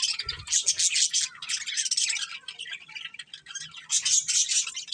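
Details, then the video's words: Colourful budgerigars chirping together, a dense, scratchy warble of overlapping high chirps that swells and fades in bursts, with a few low knocks early on. "Colourful Budgies Chirping Sounds"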